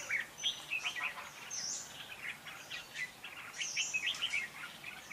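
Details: Red-whiskered bulbul in competitive song, a decoy recording for trapping: bubbly, quick whistled phrases of several notes, rising and falling, with short pauses between bursts and a thin high buzz in the background.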